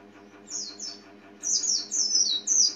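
White-eye giving thin, very high twittering phrases of quick, falling notes in short bursts, over a faint steady low hum.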